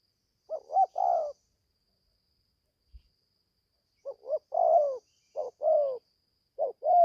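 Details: Young spotted dove just beginning to call, on its first training outing in the forest of Gia Lai, Vietnam: three phrases of low hollow coos, each a quick pair of short notes then a longer drawn-out coo, separated by pauses.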